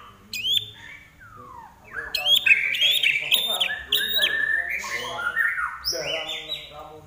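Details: Common iora singing vigorously: a varied run of whistled slurs, sweeping descending notes and chattering phrases, with sharp high clicking notes scattered through and a faint low hum beneath.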